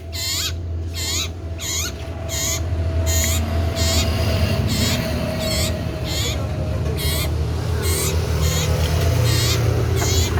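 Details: Loud, actively singing common iora of the cipoh sirtu type: about fourteen short, high, warbled phrases with rising whistled strokes come at a fairly even pace, each a separate burst, over a constant low droning background hum.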